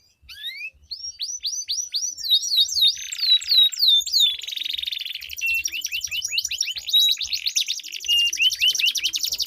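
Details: Long rolling canary song from a duel, used to spur quiet canaries to sing. It opens with quick descending whistled sweeps, then shifts into a dense, sustained buzzy trill with scattered bright notes.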